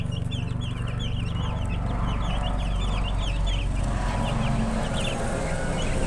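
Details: Chicken chicks peeping in a busy group: quick high chirps, each a short bent note, crowded in the first seconds and thinning toward the end, with a constant low rumble underneath.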